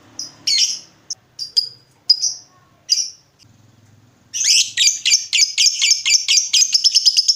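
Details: Lovebird singing loudly to draw other lovebirds to answer; scattered short high chirps with faint low murmur for four seconds, then a dense run of rapid sharp chattering notes, about two per second, sweeping downward.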